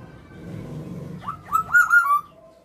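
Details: Whistled phrase from a tame female black-naped oriole kept indoors: four quick downslurred fluty notes in a row, the middle ones loudest, after a stretch of low room hum.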